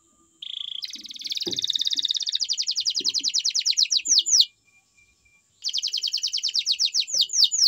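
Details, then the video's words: Canary singing energetically: a bright high trill of rapid repeated notes builds into fast chopped phrases, ending in sweeping downslurred whistles, a short pause, then another rapid rolling trill; faint low knocks in the background. "Best Canary Song"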